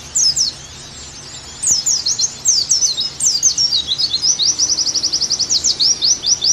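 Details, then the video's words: Oriental white-eye song used to coach a kept pleci: a short high phrase, a pause, then an unbroken stream of thin sweeping whistles and a fast, evenly spaced trill. "Terapi + Masteran Agar Pleci Gacor Kembali"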